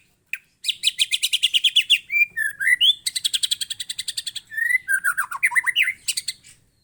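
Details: White-rumped shama in full, loud, close song: rapid trains of buzzy chattering notes alternate with short clear whistled slurs and falling phrases, delivered almost without pause for about seven seconds.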